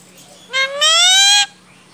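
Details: Household Indian ringneck parakeet with its owner nearby: a short, clipped upward note followed by a strong, drawn-out nasal tone that slowly rises in pitch and cuts off sharply, then room quiet.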